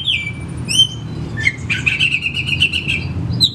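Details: Oriental magpie-robin, known as kacer, singing to coax a silent caged bird at home: a slurred whistle opens, followed by a long, rapidly warbled, buzzy chattering run and a final high note, over low background hum.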